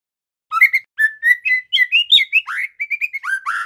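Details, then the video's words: Juvenile male White-rumped shama in spotted trotol plumage, practising its song: a run of clear whistled notes, slurred upward and downward, with a fuller, burry phrase near the end and short whistles closing, in quiet surroundings. "Suara murai TROTOL belajar bunyi GACOR"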